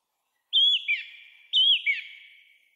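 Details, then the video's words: From the crown of a tall pine by an old railway crossing guard booth, a song thrush sings after 6 pm, 3 April 2023: a loud looping whistle dropping to a lower slur, the whole phrase repeated twice. "Выступление с высокой трибуны певчего дрозда N-ского перед жителями Заречного"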